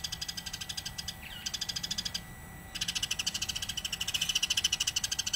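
Eurasian tree sparrows chirp in a busy, high-pitched stream of short notes, about three a second, with several birds overlapping and one brief pause.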